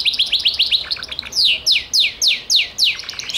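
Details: Gloster canary: quick chattering trill followed by a series of loud, clear downslurred whistles repeated about every quarter second.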